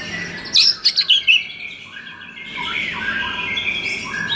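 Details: White-rumped shama song for rousing a shama that sings too little: a quick burst of four high, sharp whistled notes, then quieter rambling chatter and soft warbles.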